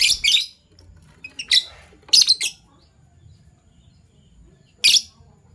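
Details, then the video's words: Morning chirping from two Fischer's lovebirds of the PB Violet and Euwing Gold Opaline mutations: short, harsh, high-pitched chirp bursts in clusters, separated by pauses of up to two seconds, with a quiet low background hum. "Lovebird Chirping Sounds"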